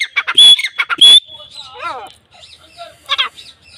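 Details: A kept Grey Francolin in Pakistan calling as the mating season begins gives loud, harsh, shrill notes in quick bursts with a ringing high whistle, then softer wavering notes. Faint voices sound in the background.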